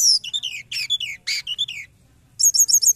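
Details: Forktail (tledekan gunung) used as a trapping lure: high, shrill notes in quick bursts, with downslurred whistles and sharp chips, then a pause and a rapid run of bright repeated notes near the end.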